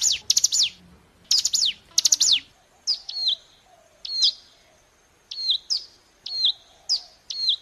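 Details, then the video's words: Bar-winged Prinia singing as a lure to provoke an answering bird. Bursts of fast, shrill descending trill notes open the sequence. A steady run of sharp downslurred whistles with buzzy tails follows, about one per second. "Pancingan Ampuh Agar Ciblek Gunung Ikutan Bunyi Gacor Sahut Sahutan"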